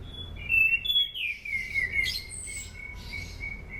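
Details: Sunda pied fantail singing for use as a training lure: clear whistled phrases that rise and fall, then a long steady whistle held for about two seconds. Thin high chirps and a low background hum are also heard.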